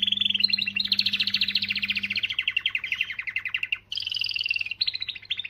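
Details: Powerful canary song aimed at motivating females: a long dense rolling trill that slowly drops in pitch, a brief break, then a higher buzzy trill and quick chattering notes, with a low hum early on.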